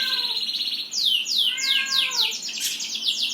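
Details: Songbird singing: a steady high trilled note, then a fast series of loud, sharply falling whistled sweeps, about three each second, with fainter lower echoing tones beneath and a quiet background.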